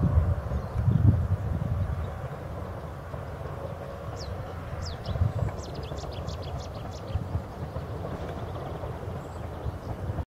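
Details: Cetti's warbler at Radipole Lake delivering a short, quick series of sharp high notes in a loud burst near the middle, over steady low background rumble.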